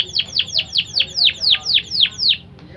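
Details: A BBSF x Berner canary, singing blackthroat-learned phrases and suited to teach young birds, gives ten loud, clear descending whistled sweeps in an even series about four per second, then stops.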